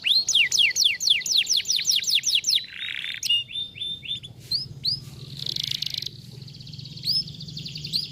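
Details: Canary song in the 'vara de pescar' style for waking up a lazy canary's singing. Energetic run of rapid sliding whistles, a short buzzy burst, lower bubbling notes, then a rough sustained buzz and sparse high chips.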